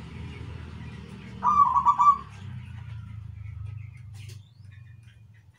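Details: Zebra dove (perkutut) singing, a single rapid staccato phrase of bubbly, rolling coos lasting under a second, over a steady low rumbling hum.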